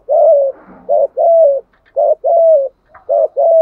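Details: Spotted dove decoy bird cooing in the thúc gù style meant to stir wild birds: paired low coos, a brief clipped note followed by a longer level-then-falling tone, repeated steadily about once a second.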